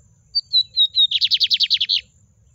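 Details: A lined seedeater delivers its Miro style song 'na baixa': a short series of four pure whistles, slightly falling, followed by a quick sequence of about ten buzzy, grating notes, little else audible.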